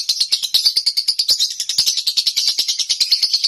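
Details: Lovebird kept at home singing konslet style: a dense, continuous string of sharp, high-pitched twittering notes, roughly three per second, with no pause.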